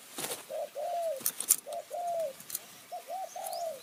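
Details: Spotted dove calling in Kanchanaburi's high forest in Thailand, answering a decoy in the ku-ang and nun-ang cooing styles. Three clear phrases, each a short coo then a longer falling one, with a few clicks and taps between them.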